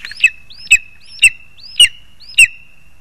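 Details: At the nest on 2 August 2020, as the parents bring food to the young, a lesser spotted eagle calls five times with sliding, sharp yelps about every half second, accompanied by low knocking thuds.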